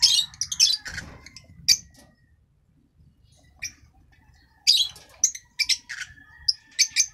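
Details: Shrill chatter from a green masked lovebird, an African lovebird, with a loud burst at the start, a quiet gap, then a lively string of sharp squeaks and chirps.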